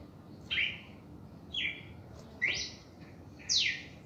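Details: Four strong whistled phrases from a red-crested cardinal in reaction song, each about a second apart, the last rising then plunging steeply, over quiet background hiss.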